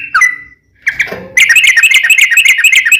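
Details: Sooty-headed bulbul giving gacor song in a long ropel, recorded as a lure to prompt other bulbuls to answer. A whistled note and a few scattered chirps, then a fast, even, bubbling trill.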